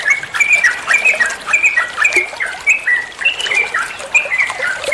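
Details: Sooty-headed bulbul (trucukan) ropel song meant as masteran for training songbirds: short clipped whistles and chirps, roughly two per second, uneven in spacing, with a slightly chattering quality.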